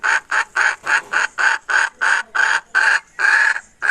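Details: Hen recorded in 2021, giving a rapid series of about eleven harsh, raspy squawks in four seconds, each short burst separated by brief silences, loud and clear against a quiet background.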